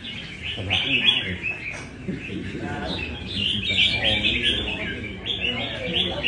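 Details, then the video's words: Red-whiskered bulbul from Nam Đông in caged practice at a café in Đà Nẵng: bright warbled phrases of quick chirps and short whistles, with background voices and café hum. "Cb Nam Đông Test nhẹ cafe-Chào mào cafe"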